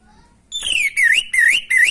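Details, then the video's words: Orange-headed thrush singing vigorously, played to spur birds lacking breeding drive: after a quiet start, four loud, clear whistled notes in quick succession, each sliding down and swinging back up. "Anis macet kurang birahi auto respon pakai suara video ini"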